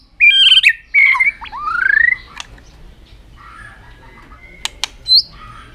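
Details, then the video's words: White-rumped shama in a long song meant to excite other birds: a few loud warbled and rising whistled phrases at the start, then near quiet with faint notes, two sharp clicks and one short high whistle. "chòe lửa kéo dây siêu dài,đánh đuôi thái độ kích chim hiệu quả"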